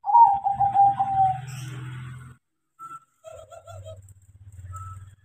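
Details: Tame crossbred zebra dove, trained to sing, gives a fast series of slightly descending coos, then a low steady hum, a few short clear notes and a lower burbling run.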